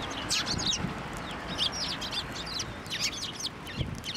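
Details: Sparrows swarming a hand for food at a Tenmangu shrine, 18 March 2024; steady scattered sharp chirps and twittering notes repeated every fraction of a second, with faint low thumps and outdoor hum.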